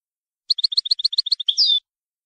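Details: European goldfinch, Shami type, in the approved 'language' 31 song style: a rapid run of about eleven crisp, high alternating notes ending in a drawn-out, buzzy note that sweeps downward. Nothing else is heard.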